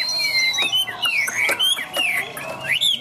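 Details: Chinese hwamei in a cage, loud and clear: drawn-out whistled slides falling and rising, interspersed with short sharp notes and quick upward flicks toward the end.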